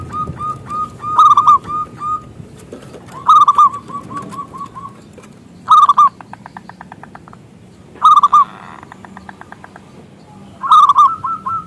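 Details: Loud local zebra dove from Indonesia, meant as a lure that invites other doves to sing; four separate phrases of ringing hooked coos, each starting with stressed notes and trailing off, with dry rapid clicking between.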